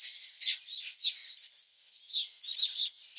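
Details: Brown-eared bulbul chicks in their nest give harsh, hissing, high-pitched begging chirps in rapid bursts of about a quarter second, with a brief pause midway, as a parent feeds them.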